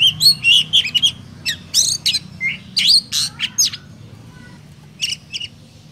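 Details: Oriental magpie-robin from Vietnam, a lure song meant to stir other magpie-robins into singing: quick bursts of clear whistles and buzzy notes, bunched in the first seconds, then sparser phrases after a pause, with a faint low hum.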